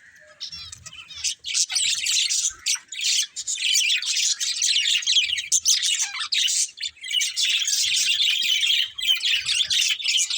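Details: Budgerigars in a steady, dense chorus of scratchy warbling and rapid chirps, opening with a single whistled note before the chatter builds.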